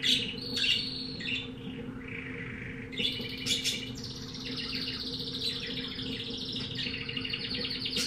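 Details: Pet-shop canary, type unidentified, sings loudly: sharp chirps, a buzzy warble, then long rapid high trills rising and falling, over a steady low hum.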